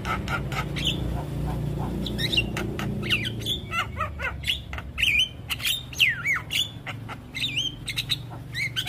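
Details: Javan myna song from a master recording for young birds: harsh broadband clicks and rasps mixed with whistled rising and falling notes, some repeated, over a low steady hum.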